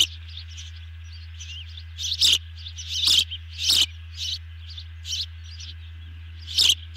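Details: At a nest during a big dinner delivery, 18 June 2020 around 19:29, ospreys give bright, high chirps in clusters, several loud calls spaced about half a second apart among softer twitters, with a constant low hum.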